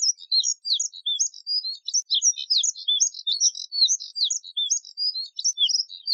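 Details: Moussier's redstart singing a rapid, scratchy warble of short high chirps and twittering notes, tightly packed and continuous with brief gaps, on a quiet background.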